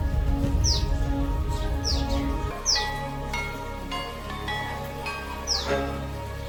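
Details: Common tailorbird calling in a garden setting: sharp, high, downward-sweeping notes, about five over six seconds at uneven spacing, over steady background music with a low hum.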